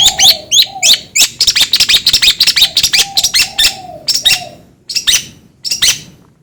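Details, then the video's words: Long-tailed shrike giving a dense, chattering run of sharp high chirps and clicks. A soft low hooting tone sounds in the background, and the bird ends with a few spaced single notes. "DENGAR SUARA INI CENDET JADI ON"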